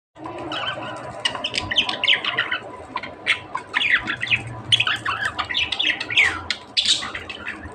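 Budgerigars chatter with rapid squawks, chirps and warbling notes in a continuous busy stream.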